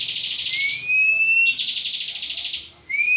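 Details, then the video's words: Bar-winged prinia kept for song contests, singing in the ngebren style. A buzzy, pulsing trill runs into a steady rising whistle, then a second long rattling trill, and ends with the start of another whistle. "Ciblek ngebren full"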